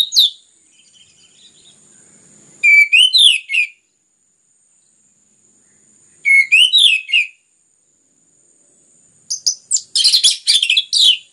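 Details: Orange-headed thrush belting out song used to stimulate other birds: three phrases about three to four seconds apart, each opening with a low slurred whistle that climbs into rapid looping high notes, the last phrase denser and chattering.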